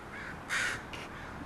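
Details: Crows from a group called the brood landing at a house, noisy; two short harsh caws, the first louder, over quiet background.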